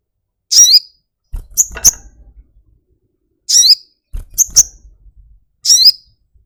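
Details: Little spiderhunter, or sogok ontong, gives high, piercing chirps that slide downward, in pairs and singles roughly every second or two. Dull thumps and rustles sound in between.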